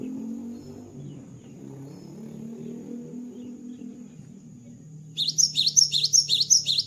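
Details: Cinereous tit after moulting. A low background hum fills most of the recording, then a quick burst of high, piercing repeated double notes breaks in near the end.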